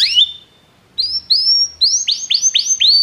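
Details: Belgian canary song for stimulating other canaries: a few separate rising whistled notes, spaced at first, then coming faster in quick succession.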